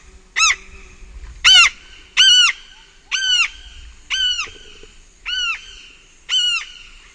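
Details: Large-billed tern (Phaetusa simplex) at Pacaya, close-up flight calls: seven loud, harsh, arched calls about once a second with rich stacked overtones, over faint distant birds and insects.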